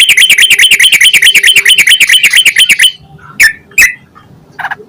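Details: Yellow-vented bulbul in full song, a lure to prompt other bulbuls to sing. Nearly three seconds of fast, evenly repeated squawky notes, then a few isolated sharp chirps with quiet gaps.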